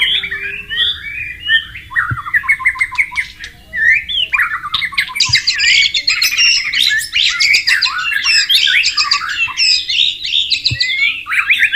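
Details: Wild white-rumped shama by flowing water pours out a long, dense, chattering song of rapid scratchy notes and buzzy trills, growing busier and louder partway through.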